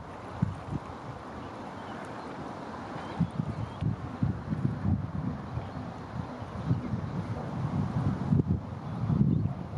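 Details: Gusty wind and low rumbling with rustling, and no animal voice stands out.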